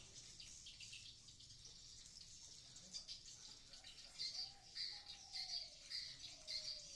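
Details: Swiftlets inside a nesting building at Blokagung, Banyuwangi, East Java, a building long occupied by sriti and recently converted to swiftlets: dense high twittering chirps, rapid and overlapping, swelling into louder bursts roughly every half second toward the end, over a faint low hum.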